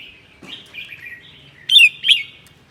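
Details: Red-whiskered bulbul of the prized seven-claw type from Sơn La, Vietnam, singing its 'ché' song on a cold day; soft warbled phrases around mid pitch, then two loud sharp twittering notes near the end.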